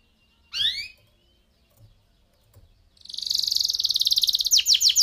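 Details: Canary of the F1 SF type singing a crystal-clear, uniquely patterned song used as a tutor for white-rumped shamas: a single rising sweep, then a fast, high buzzy rolling trill with descending flourishes.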